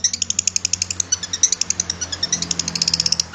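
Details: Cendet, or long-tailed shrike, in a tutor recording for caged birds: a steady, fast series of high, thin chirps, about eight per second, running evenly throughout with faint low hum beneath.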